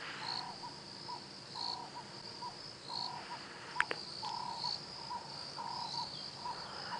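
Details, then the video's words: Cape turtle doves give repeated hoarse, low cooing phrases in a sunrise chorus on a 5:30 AM safari drive on 6 March 2017. Emerald-spotted wood doves call behind, and a hornbill, likely yellow-billed, may be heard. There is a steady high insect drone and one sharp click. "You can hear the good old turtle doves."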